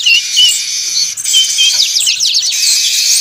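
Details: Weaver lure sound of a noisy flock: a few clear whistled notes over buzzy high chatter, then a rush of rapid descending chirps in the second half.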